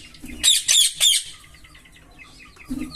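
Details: Green Fischer's lovebird pair: three loud, harsh squawks in quick succession, followed by a run of softer rapid twitters and a faint low note at the end.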